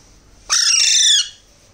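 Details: A single long, piercing, wheezy screech from a hand-fed Alexandrine parakeet chick, held for under a second and sliding gently downward before fading.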